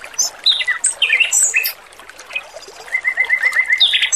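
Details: Male Oriental magpie-robin singing, a training recording with trickling water: varied loud whistled phrases and harsh squawky notes, then a rapid run of repeated even notes near the end, over running water.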